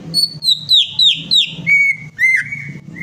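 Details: Greater green leafbird lure song for a bird that will not sing: a fast string of rich whistled notes falling in steps from high to lower pitch, then longer, steadier ringing whistles.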